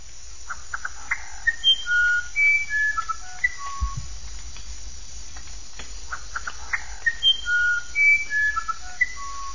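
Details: Uirapuru (musician wren), described as the singer of the sertão, giving a varied song of pure whistled notes at shifting pitches, some sliding, mixed with short clicking notes; the phrase repeats after a brief pause, with a low thump in between.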